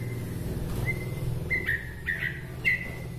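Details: Bahorok white-rumped shama, a local bird from Medan, whose song is said to provoke other shamas; short clear whistles repeated about every half second, some with quick upward flicks, over a low rumbling hum.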